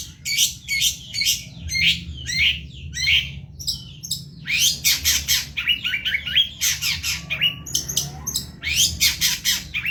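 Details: Long-tailed shrike (cendet) from Indonesia, singing very vigorously in a tutor recording. Rapid, varied bursts of high chirps, harsh squeaks and rising whistled notes follow one another almost without pause, over a low steady hum.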